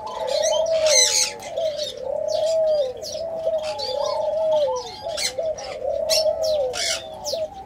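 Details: Ring-necked dove of the orange pearl colour form giving steady repeated coos, each a low purring phrase roughly every two seconds, mixed with loud high chirping of other small birds.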